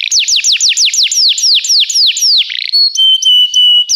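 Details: Belgian canary singing in a training recording: a steady string of clear descending whistles about five per second, slowing, then ending in long, flat, sustained tones.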